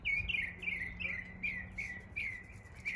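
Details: Northern mockingbird in East Tennessee imitating local birds: a run of clear down-slurred whistled notes, each repeated in quick succession, roughly a note every half second, with a steady low hum underneath.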